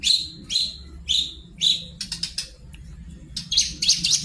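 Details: Singing long-tailed shrike as a lure for other birds: four evenly spaced, slurred high whistles, then a burst of harsh clicking chatter and a final run of squeaky notes, over a steady low background hum.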